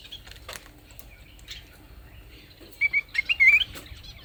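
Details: Leafbird delivering a quick burst of about eight sharp, sweet chirping notes that climb and twist in pitch, preceded by quiet rustling and faint wing flutters.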